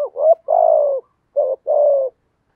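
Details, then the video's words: Spotted dove in the 'thổ' voice, calling to bring in other doves: a wavering note and long falling coo, then a second short note and coo follow closely within about two seconds. "cu gáy giọng thổ thúc gù gáy gọi cực đỉnh giọng hay kích bổi hiệu quả"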